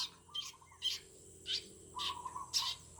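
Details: Birds singing in a garden in the morning: short bright chirps repeated about every half second, over a lower, steady, slightly wavering whistle, with a faint constant hum behind.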